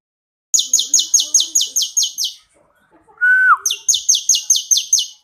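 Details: Song of a bar-winged prinia of the 'kristal' kind, meant for training other birds: two fast bursts of sharp high trilled notes, about nine each, split by a single clear whistle that dips at the end.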